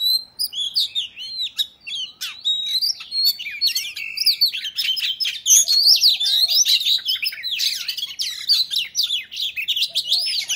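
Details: Male oriental magpie-robin in loud fighting song to provoke rival males, a long, dense, unbroken stream of varied high whistles, trills, and sharp slurred notes, with some scratchy harsher bits early on.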